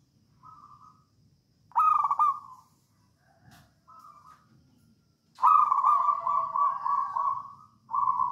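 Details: Wild-type local Javanese zebra dove in 'songgo ratu' song, used as a lure for other doves: short soft coos alternating with loud stuttering trilled bursts that roll into long purring notes, a faint click midway.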